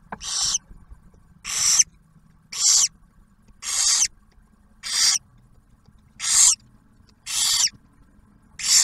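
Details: A barn owl family in a nest box near Oak Harbor, Ohio, during the owlet's first meal brought by the male. Evenly repeated rasping hisses, eight in a row, each short and noisy, roughly one per second.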